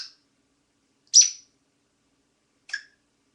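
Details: Pet bird indoors, said to be singing "Hello My Baby", gives three short, sharp high chirps spaced about a second apart in a quiet room, the middle one loudest and buzzy.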